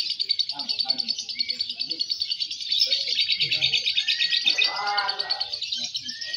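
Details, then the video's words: Lovebird (Loverbird Fighter M1, M2 Balibu) at a singing competition pours out a long, unbroken, high-pitched chattering trill, fast and rattling throughout, while other birds chirp and people talk faintly behind it. "Suara Burung Loverbird Fighter M1, M2 Balibu Saat Lomba"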